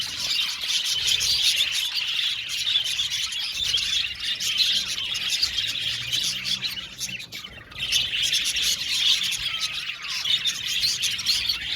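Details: Budgies in an aviary colony produce long, rolling high chatter of many chirping birds, dipping briefly quieter midway before the busy warbling chorus swells again.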